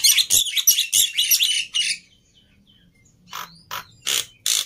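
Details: A Black-winged myna, a fighter bird whose temper runs too high, delivers a fast string of rough chattering squawks, falls quiet for over a second, then gives several separate loud harsh screeches.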